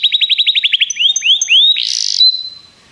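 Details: Song of a Begie canary used in training: about ten quick rising notes, three slower upslurs, then a rough buzzy phrase and a fading level whistle.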